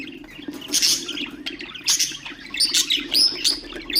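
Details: Budgerigars singing to encourage other birds: scratchy chatter ending in a run of clear rising and falling whistled chirps, with a low background hum.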